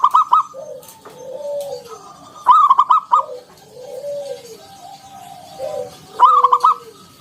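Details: Zebra dove of local wild stock giving ngalun-style song with a round 'kung' note, used to draw other doves into song. Three loud, bubbling, stuttered coo phrases recur every few seconds, with quieter arched coos filling the gaps.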